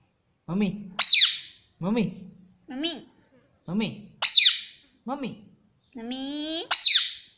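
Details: Pet parrot taught to say 'mummy' and 'papa', alternating low voiced word-like syllables with sharp high squawks roughly every second, ending in a longer level buzzy tone with a shriek.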